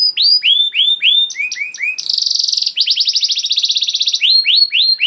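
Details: Gacor canary song played as a lure so canaries respond: slow looping whistled notes give way to a fast rattling buzzy trill, then a rolling series of quick chirps and curved whistles.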